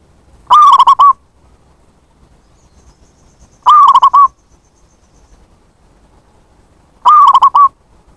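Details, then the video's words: Zebra dove call played as a lure for wild birds: three matching phrases about every three and a half seconds. Each is a rapid series of short coos ending in a drawn note, over a slight low rumble. "Pancingan bunyi + pemanggil perkutut liar"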